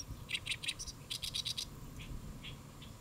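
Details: Great reed warbler singing from a lotus leaf at Saemangeum, Gimje, South Korea, midday, 1 July 2024; two runs of rapid harsh grating syllables, four then five notes, followed by a few softer spaced chirps.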